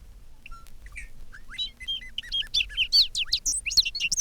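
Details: Several Bobolinks, blackbirds with white upper parts, sing in a spring field: scattered notes speed up into a bubbling, tumbling, banjo-like jumble of high metallic phrases, each bird repeating its name, with more than one bird joining in.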